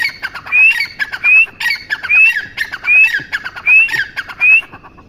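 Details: Grey francolin giving six loud phrases in quick succession: each phrase has a sharply rising whistle followed by scratchy, rattling notes, about one phrase per second.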